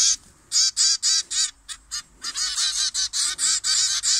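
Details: Zebra finches in an aviary at 6:30 am, in cool weather with a gentle breeze, gather and eat breakfast, giving rapid, nasal, toy-trumpet-like beeps, several each second.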